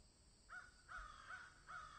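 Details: Crows cawing in a field: four harsh, hoarse caws spaced a little under half a second apart, each a short rough burst, over a faint steady background hiss.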